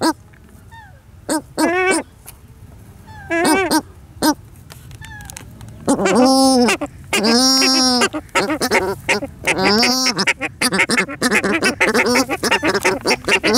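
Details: A pair of paradise shelducks (Tadorna variegata) at a waterfowl ranch in Holland calls: nasal, honking notes in quick bursts, with shriller, higher calls near the middle, a few seconds apart.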